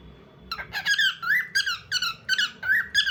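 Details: Indoor bird song of bright, squeaky chirps and slurred whistles, each short phrase rising or falling, repeated roughly every third of a second in an uneven, chattering rhythm against faint room noise.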